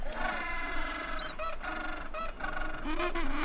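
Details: Gentoo penguin (Pygoscelis papua) adult feeding two chicks: harsh, honking and braying adult calls with thin higher chick squeaks layered over a dense, noisy colony background.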